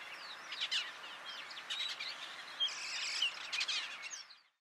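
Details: Austral thrush (Turdus falcklandii magellanicus) at Estancia Cristina, Argentina, in March 2022, gives a busy run of thin, high chirps and squeaky notes in short bursts, over a steady background hiss.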